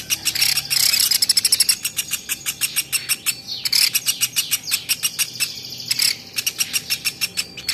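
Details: Masteran recording of a champion velvet-fronted nuthatch: bursts of very fast trilled chips alternate with slower, evenly spaced sharp notes, and thin high whistles run across the series.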